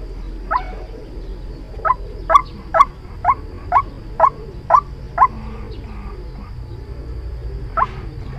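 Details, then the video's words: White-breasted waterhen calls from a decoy recording for bird trapping: one opening note, then a run of eight upward-sweeping croaks about every half second, a lone note after a pause, low background hum. "Tiếng chim quốc Mồi chuẩn dùng để bẫy"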